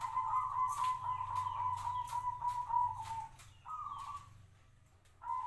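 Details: A local zebra dove kept for five years sings a long, steady, gently trilled coo lasting over three seconds. Two shorter coos follow after pauses, and light clicking sounds are heard behind.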